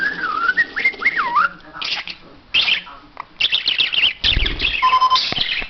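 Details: Talking pet parrot that imitates English, German and Turkish words, opening with wavering whistled slides, then quick raspy chattering syllables and a steady whistled tone near the end.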